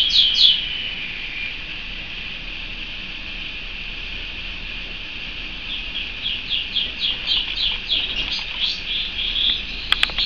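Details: Canary: a loud opening note, then a long quiet steady high trill, later rising into a run of repeated chirped notes and a few sharp clicks at the end.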